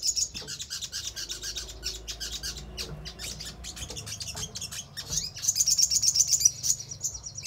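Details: Crimson sunbird song meant to coax other birds into responding: busy, high, scratchy chipping throughout, then a rapid bright trill of quick repeated notes near the end, with a low hum underneath.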